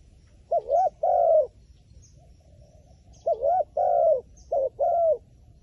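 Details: Cooing of a wild pigeon said to be shy of a phone camera: a pair of rounded, slightly wavering notes, a silent gap of about two seconds, then four more coos in a tight run.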